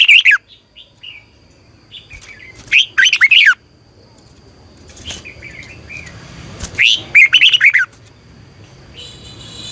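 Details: Red-whiskered bulbul used as a decoy to train captive bulbuls for morning singing and competition, with a long double twisting voice. Two bursts of loud, slurred, rolling whistled notes, scattered softer chirps between them, and a buzzy high note at the end.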